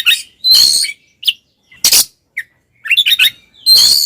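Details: Oriental magpie-robin (kacer) in aggressive fighting mode, used to provoke other males: a series of short, harsh, grating bursts and squawks, with a few brief high squeaky notes between them.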